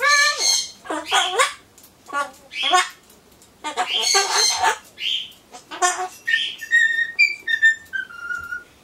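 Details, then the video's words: Pet Solomons corella chattering before its pumpkin, mixing speech-like phrases with harsh squawks, then whistling a falling run of clear notes, off-key song imitation from its recent Happy Birthday craze. "ソロモンオウムたろちゃん カボチャを待ってる間のひとり言"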